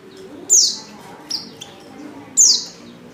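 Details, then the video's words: Female Oriental white-eye giving a lure call to get males singing: three high, piercing notes, two loud downslurred chirps framing a softer, shorter one, separated by pauses. "pancingan pleci betina paling ampuh,bikin pleci jantan ngalas"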